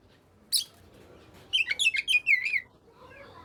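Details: Brief Oriental magpie-robin phrase meant to prompt sulking birds to sing: one sharp note, then a quick series of chirps ending in a warbling downslur, against low background noise.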